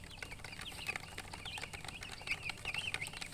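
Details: Just-hatched chicks peeping, short high chirps in loose groups against rustling and clicking handling noise.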